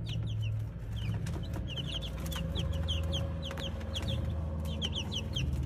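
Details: Brahma chicks giving rapid, thin, high-pitched peeps that slide downward, many notes overlapping in quick succession, over a constant low mechanical hum and occasional tapping sounds.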